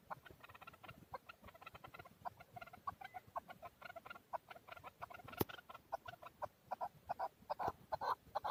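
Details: In Darvoz, Tajikistan, 2020, a male chukar partridge keeps up rapid, uneven clucking chuk notes, moderately loud, growing stronger toward the end, with one sharp click midway.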